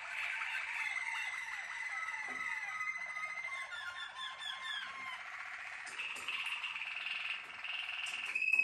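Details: Malinois Waterslager canary, a captive-bred singer, giving rapid rolling trills that run into a long sustained tone. The song then switches to brighter warbled phrases toward the end.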